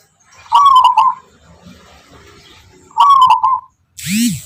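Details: Local wild zebra dove of the Tuban line, prized for its distinctive rhythmic song. Two quick, trilled, bubbling coo phrases come about two seconds apart, followed by a brief rising-and-falling squeal at the end.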